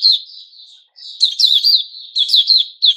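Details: Puteh Raja, the white-crowned shama, during its new-feather season: soft slurred whistles followed by bursts of loud, rapid, warbling notes with sharp upward accents.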